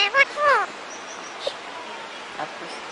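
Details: A male Indian ring-neck (rose-ringed) parakeet, a talking pet that is being taught words, gives two short, nasal, voice-like notes, the second sliding downward, then a quiet room with faint clicks.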